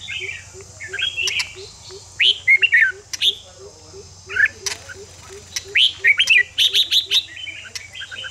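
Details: Red-whiskered bulbul fighting-song stimulus for caged birds: lively warbled phrases with rising and falling notes, over a soft, evenly repeated low tapping pulse and faint hum.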